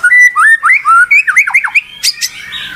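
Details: Song of a white-rumped shama: a series of loud rising whistles and quick downward slurs, ending with two sharp high crackling notes and fading harsh noise.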